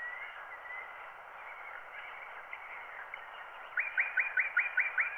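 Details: Wild bird song transferred to a 90 rpm black wax cylinder from a microphone recording: after several seconds of hiss and faint warbling, a bright, rapid trill of about eight repeated notes bursts in near the end.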